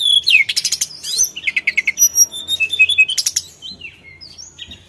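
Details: Sulingan singing as a lure: a descending slurred whistle, then rapid buzzy bursts and a run of evenly spaced chirps, fading into softer, thin whistles.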